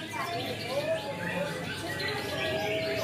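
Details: A greater green leafbird sings training material with canary-style phrases: a few soft, clear whistled notes, some sliding up or down, against a steady hiss of background noise.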